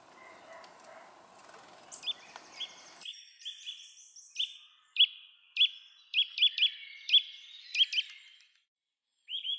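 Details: Eurasian nuthatch at a bird feeder in Uddel, Netherlands, on 13 November 2012, giving short, sharp, high notes, some paired with a quick upward flick, in an irregular series over several seconds; faint background hiss at first.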